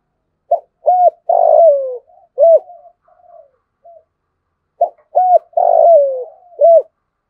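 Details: Spotted dove kept as a lure bird with the 'giọng thổ' voice style, giving a full sequence of 'thúc', 'gù' and 'gáy' calls: low hooked cooing notes and one drawn-out slurred coo, in two phrases separated by a pause.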